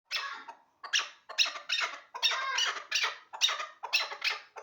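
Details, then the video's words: Hybrid hunting partridges kept as the best birds for hunting, giving harsh, chattering bursts of calls about once a second, each rough and broad, with short gaps between the phrases. "Кабки Гибриди шикори"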